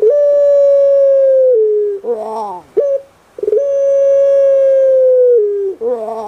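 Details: Puter pelung dove kept at home on Java, Indonesia: two long even hooting notes, each ending in a lower step and a coarse gurgling roll, with a brief sharp note between them.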